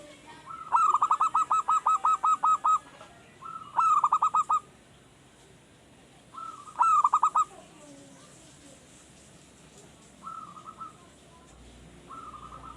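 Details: A newly kept raw zebra dove (perkutut), caged, just beginning to sing diligently for use as a lure. It delivers a long run of about thirteen rapid staccato coos, then shorter bursts and soft rolling phrases with pauses between.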